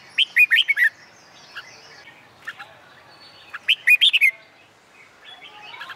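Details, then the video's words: A Red-whiskered bulbul, trained for song contests, sings in summer midday sun. Two bursts of four or five quick, liquid whistled notes come about three seconds apart, with soft scattered chirps between. "LUYỆN CHÀO MÀO HÓT ĐẤU/ CHIM CHÀO MÀO HÓT GIỮA NẮNG NGÀY HÈ/ CHÀO MÀO HÓT KÍCH CHIM MỘC SỔ GIỌNG HÓT"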